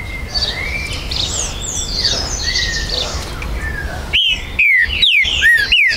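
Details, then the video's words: At a breeder's premises in Brazil on 19 September 2020, a green-winged saltator, a territorial species, bursts in after faint background chirps with four loud, clear whistles, each dropping in pitch, some curling up at the end. "ESQUENTE MUITO seu TRINCA FERRO"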